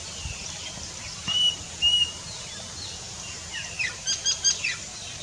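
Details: Plaintive cuckoo (Cacomantis merulinus) song: two long, clear, level whistles about half a second apart, then a quick run of three shorter, brighter notes, over a steady high insect hiss.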